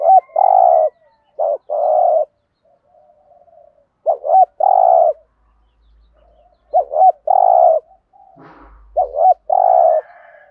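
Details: Cooing of a decoy spotted dove in thúc gù style, deep-voiced giọng thổ: four separated phrases of a double-pulsed short note leading into a sustained low coo, with soft murmurs between.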